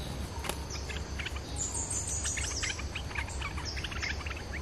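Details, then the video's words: Bulbul (merbah lekir) lure call: quick, bright chirps and short whistled slurs repeating in bursts, over a steady low hum and background noise. "suara pikat merbah lekir"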